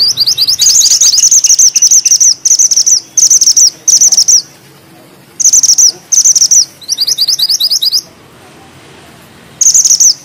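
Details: Mantenan gunung bushchat in full tight rolling song with sharp bursts: repeated bursts of very high, rapid, chattering trills, each one to two seconds long, separated by short pauses.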